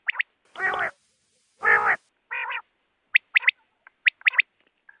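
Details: Quail calls for night use: two harsh, rasping bursts and a nasal, wavering note, followed by quick, sharp, high chips in irregular clusters.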